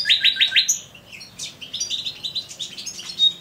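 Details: Male common nightingale singing in an aviary: four loud, rapid, identical notes open the phrase, followed by a varied run of softer chirps and quick trilled notes, ending with a sharp high note.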